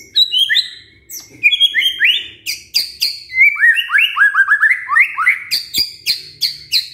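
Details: White-rumped shama song played as a lure to make a male sing: dense series of varied whistled phrases, rising and falling slurred notes mixed with sharp clicks, continuous throughout.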